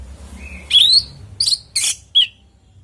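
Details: Natural song of an orange-headed thrush, used as a lure for captive thrushes at home: a thin faint note, a clear rising whistle, then harsh chattering bursts and a final short whistle.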